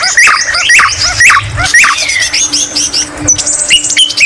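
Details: White-rumped shama song laced with greater green leafbird (cucak ijo) imitations: repeated bubbly upslurred phrases about twice a second, then a drawn-out whistle and scratchy high notes.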